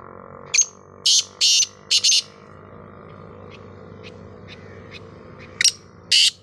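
Black francolin giving harsh, grating, high-pitched notes in a quick run of five, then two more after a pause, over a low droning hum.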